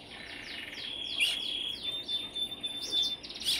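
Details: Brambling calls: a rapid series of short, high, downward-sliding chirps over a steady thin high tone, growing louder, with more scattered chirps toward the end.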